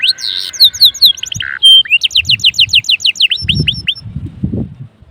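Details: Lively pet canary singing to set off other canaries: varied high chirps, a short buzzy note and a clear whistle, then a quick series of falling notes, with soft low thumps in the background.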